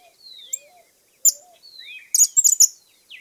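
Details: Cattle Tyrant (picabuey), one of Argentina's common birds, gives thin, high whistled notes slurring downward, then a quick burst of sharp, squeaky twittering chips near the end.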